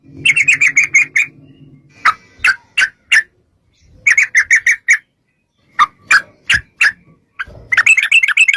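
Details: Sooty-headed bulbul in 'ropel' song played to make bulbuls answer: bursts of quick chattering notes alternate with pauses and single sharp chips, with a low hum at the start.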